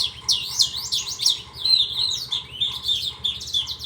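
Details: Rapid, unbroken warbling from a Horsfield's bush lark, high twittering phrases tumbling one into the next with rising and falling slurs, a low hum underneath.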